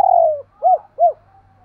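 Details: Spotted dove doing paired cooing: a long mellow coo gliding downward, followed by two short arched coos, clean and close, with a faint hum behind.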